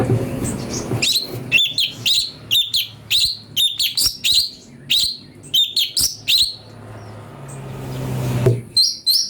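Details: Ashy bulbul singing, for use as magpie-robin training material: a steady run of clipped whistled notes falling in pitch, repeated quickly, with low rumbling noise at the start and end.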